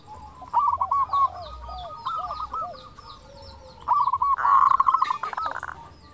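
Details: Local zebra dove singing with a 'crystal' voice as a lure to prompt replies; overlapping phrases of rapid cooing notes from more than one dove, softer lower hooked calls beneath, and a harsh rattling burst near the end.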